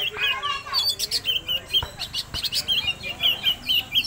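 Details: Oriental magpie-robin singing, used as a lure for other birds. Fast series of high, clear whistled notes and chirps in quick bursts, a few sweeping slurs, with sharp clicks in the background.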